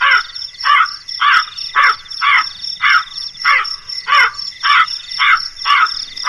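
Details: Crow calling in a regular series of around eleven raspy caws, short and evenly spaced, with insects buzzing steadily in the background.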